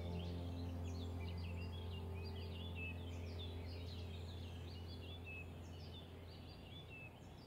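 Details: Two pet peach-faced lovebirds grooming each other chatter in quick, shrill squeaks and chirps, several notes a second, over a steady low electrical hum.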